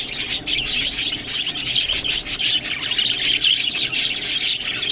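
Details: Budgerigars eating green food fill the air with bright, overlapping twitters and chirps. A rapid, busy chatter runs throughout.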